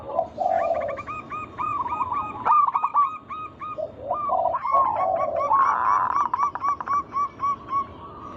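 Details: Local zebra doves in lure song to stir other doves into singing: low burred coos overlap long runs of rapid hooked notes, about three to four per second, with a sustained buzzy tone midway.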